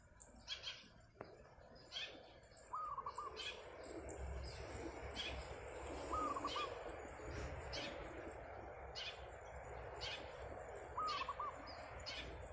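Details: Morning song of a wild zebra dove perched on a tiled roof, described as very lively: three brief phrases of rapid, trilled coos spaced about four seconds apart, while other birds chirp steadily throughout.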